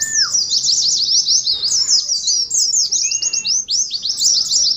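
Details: Caged Oriental white-eye delivering ngalas competition song: nonstop shrill chattering of quick slurred notes, opening with a short falling whistle and interrupted midway by a flat, sustained thin whistle.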